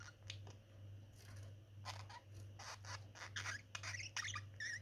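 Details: Two budgerigars kissing: scratchy, chirping chatter in quick irregular bursts over a low electrical hum.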